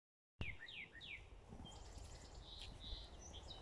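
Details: Northern cardinal in a morning chorus sings three loud, clear, down-slurred whistles in quick succession; thinner, higher chirps from other songbirds follow over a low background rumble.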